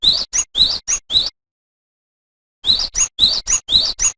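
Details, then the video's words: Cinereous tit, known locally as gelatik batu, in lively song meant for training other songbirds: bright two-note whistled phrases repeated quickly, broken by a pause of about a second, then resuming at the same pace. "Suara Burung GELATIK BATU Gacor"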